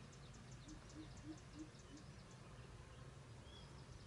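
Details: A coucal, recorded while trapping with a decoy in Tuyên Quang, Vietnam, early in the 2024 season, with the bird said to be coming close, gives five low, hollow hoots, about three a second, over rural hiss and faint insect ticks.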